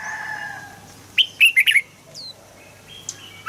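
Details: Red-whiskered bulbul song meant to rouse birds into singing: one quick cluster of four bright, slurred notes, then scattered faint chirps and a low hum.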